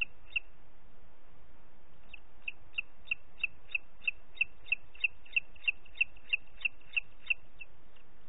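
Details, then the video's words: Booted eagle in Parc Natural dels Ports, 30 June 2021 at 11:01, gives a rapid series of about twenty shrill, high 'kli-kli-kli' notes, about three per second, over a low rumble of wind. "Àguila Calçada"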